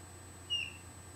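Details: A pet canary, asked to sing while a tomtit calls outside, answers with one brief, high, thin chirp that dips slightly at the end. A faint low hum sits underneath.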